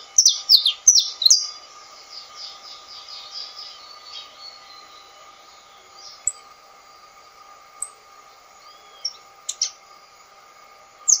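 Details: Saffron finch singing: a quick series of high sharp chirps over the first two seconds fading into softer repeated notes, then scattered single chirps, with steady electrical hum tones beneath.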